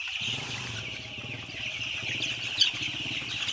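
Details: Massed high peeping from a very large flock of white chicks, around ten thousand, over a rumbling low engine-like drone, with one brief sharper cheep standing out.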